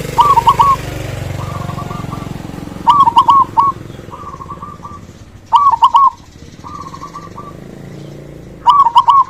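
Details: Zebra dove, a local perkutut with a loud voice, sung to prompt quiet doves into singing: loud stuttering coo phrases every three seconds, each followed by a softer rolling coo, with faint background rumble.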